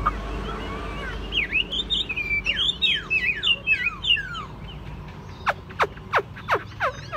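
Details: Caged Chinese hwamei singing a fast run of loud slurred whistles and looping notes, then a series of sharp, steeply falling whips spaced about a third of a second apart.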